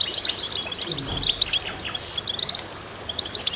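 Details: Many goldfinches twitter in concert: high chirps and quick tinkling notes overlap densely, with a soft low thump early on and the singing tapering slightly toward the end.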